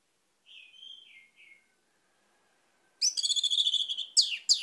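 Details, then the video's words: Orange-headed thrush song, used to coax silent captive birds into singing: a soft, falling whistled phrase, a pause, then a loud, rich burst of rapid repeated notes ending in two sharp downslurred whistles. "ANIS MERAH MACET AUTO GACOR"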